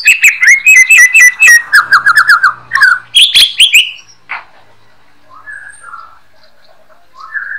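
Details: White-rumped shama song offered as master material for teaching songbirds: a fast rattling run of repeated whistled notes, a loud rising flourish, then sparse soft whistles after a quiet gap.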